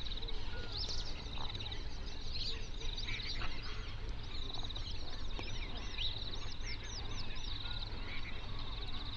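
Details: Flamingos, a flock of hundreds on a national park lake in South Africa's Overberg region, recorded binaurally: thin, arched honking calls overlap continuously at a distance above a steady low rumble of wind.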